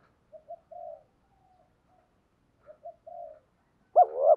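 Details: Spotted dove used as a decoy bird, calling to lure wild birds; a few soft low cooing notes in two short phrases, then one louder rising, harsh coo at the end, in an otherwise quiet setting.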